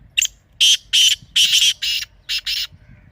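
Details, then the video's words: Teetar partridge calling loudly: a brief opening note then six harsh, rasping bursts in uneven rhythm, some paired, all within about two and a half seconds over a quiet background. "Teetar Ki Awaz"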